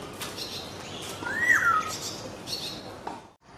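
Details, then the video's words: Black-naped oriole singing: a single clear, fluty whistle that slides downward and then dips lower, heard over a steady background hiss with a few faint, short chirps around it. "Black naped oriole birds singing the beautiful songs"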